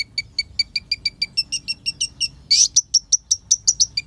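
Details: Olive-backed sunbird song meant to provoke other birds; a steady series of high sharp chips, rising slightly in pitch, broken by a harsh buzzy burst midway.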